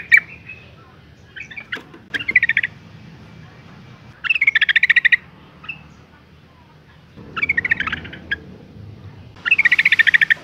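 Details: Female Yellow-vented Bulbul in breeding condition calling males: four rapid chattering bursts of bright repeated notes spread over ten seconds, with a few scattered single chips between them.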